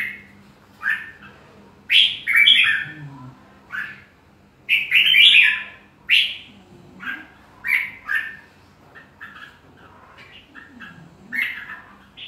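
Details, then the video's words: Red-whiskered bulbul singing: bursts of bright, warbled whistled phrases with quick up-and-down notes, coming in clusters separated by short pauses, with a faint low hum underneath. "Chào Mào hót hay"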